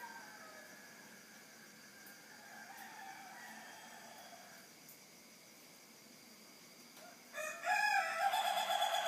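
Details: Chicken crowing at 3:50 in the morning: a faint, drawn-out harmonic call is followed in the last two seconds by the loud, harsh, buzzy start of a crow cut off at the end.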